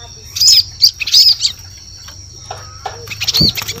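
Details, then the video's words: Bar-winged prinia used as a forest lure sound: a cluster of high, bright arched chirps in the first second and a half, then quieter scattered notes and another chirp near the end, over a steady thin whine. "Suara Pikat Burung Ciblek"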